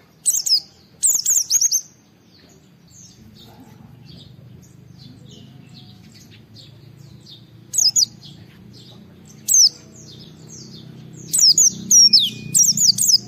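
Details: Oriental white-eye singing 'gacor' to stimulate other white-eyes: brief bursts of high, thin down-slurred twitters, a long quiet stretch with faint distant chirps, then renewed quick twittering phrases near the end.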